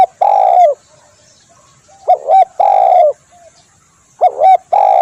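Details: Tekukur (spotted dove) calling for use as a bird lure: a long coo, then two phrases of a brisk doubled note leading into an extended, slightly falling coo, with quiet pauses between.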